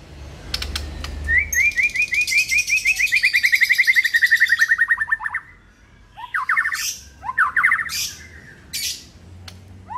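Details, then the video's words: White-rumped shama singing, played in the morning as a lure: a long rapid string of chirps that slides gently downward, followed by separate harsh, rattling bursts, with faint low hum underneath. "Jadikan murai PAGI HARI Terpikat NGEPLONG dan GACOR"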